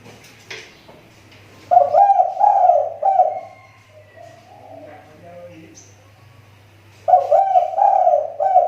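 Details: Spotted dove lure bird from the Riau Islands, recovering after its voice dropped. Two bursts of quick, burry coo notes open and close the recording, with quiet murmuring and room sounds in between.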